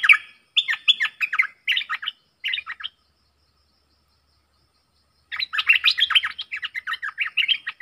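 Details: Singing duel between a caged bulbul and wild birds, 03/10/2564: long strings of quick, chattering, varied chirps and whistles in two runs split by a few seconds of quiet, busy and energetic.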